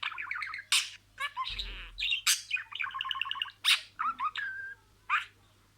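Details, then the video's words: Talking budgerigar kept as a pet, saying words in a row: quick pulsed trills alternate with sharp squeaky notes and a brief whistle, bursts separated by short pauses, a soft low thump near the start. "SIRALI KELİMELER, MUHABBETKUŞU SESİ,MUHABBETKUŞU KONUŞMA SESİ DİNLE"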